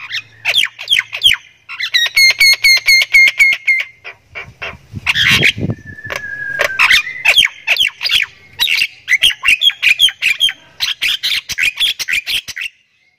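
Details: Very vocal Javan myna of the Thai variety that can cackle like a laughing person: sustained loud mix of harsh squawks, rapid ringing notes and rasping chatter, with a brief whistled tone midway.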